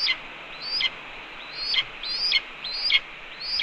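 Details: Red-tailed hawk female calling at the male during a chipmunk prey delivery at the nest in the evening; sharp, high downslurred squeals, about six in under four seconds, over quiet background.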